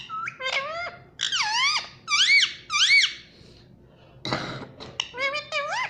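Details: Talking ringneck parrot, a pet rose-ringed parakeet indoors, produces a rapid run of squeaky, speech-like syllables with swooping rising and falling tones, a brief noisy burst midway, then more chattering syllables.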